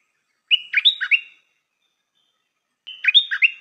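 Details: A caged decoy stripe-throated bulbul gives two identical cheerful phrases roughly two and a half seconds apart, each a bright whistle then a quick run of bubbling, dipping notes, no other sounds.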